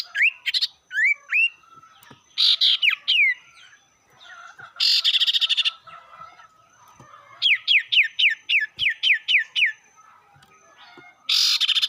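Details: Sirtu song used to goad rival birds: rising whistles, harsh buzzy bursts, and a long series of about ten rapid downslurred whistles, with buzzy phrases recurring throughout.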